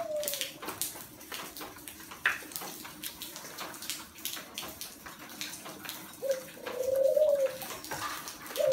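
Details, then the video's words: Spotted dove cooing on a rainy, windy day: soft, low, hollow coos that rise slightly then fall, amid steady rain and gusts of wind. "Chim Cu Gáy"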